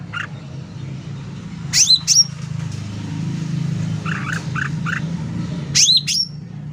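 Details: Sooty-headed bulbul in full song, recorded loud for tutoring and luring: scattered short buzzy notes and paired sharp descending whistles spaced seconds apart, over a prominent low rumbling hum.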